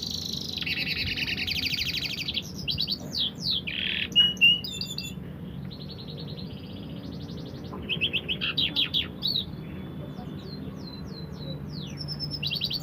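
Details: Canary song with buzzy trilled phrases, sharp repeated notes and short clear whistles, broken by brief pauses, over a steady low background hum.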